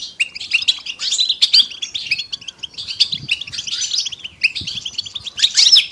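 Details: European goldfinches singing as a group to encourage quiet males to sing, with lively overlapping twitters, liquid trills and sharp chirps, and a short gap before a final excited burst.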